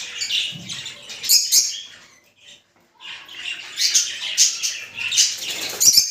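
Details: Rosy-faced and Fischer's lovebirds calling to encourage mating: continuous shrill, squeaky chattering with loud sharp peaks. It is broken by a short lull midway, then resumes just as dense.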